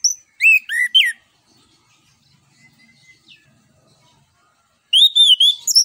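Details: Ngeplong song of an orange-headed thrush, used as a lure for other birds: three loud, slurred whistles, a long near-silent gap with faint notes, then a quick high whistled phrase.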